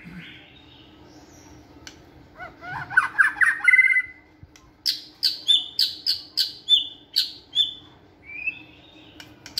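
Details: Caged white-rumped shama training in a flight cage, singing with energy: a scratchy run of rising notes, then a series of sharp, clear notes repeated about every half second, ending with a soft warble.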